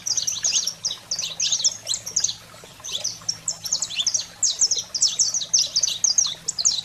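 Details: Wild-fire style song of a saffron finch, aimed at firing up pet canaries: crowded, very high chirps and ringing slurred notes in vigorous bursts, a brief lull near the third second, steady faint hum underneath.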